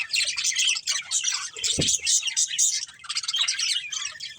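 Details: Breeding pair of budgerigars chirping, a steady stream of bright, scratchy high tweets and warbles, broken once by a short low thump.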